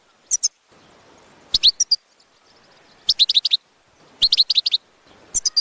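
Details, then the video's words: A European goldfinch gives bright, high, tinkling chirps in quick clusters of four to six notes, with a fresh burst about every second and a half and faint background hiss between phrases. "بتبتة الحسون"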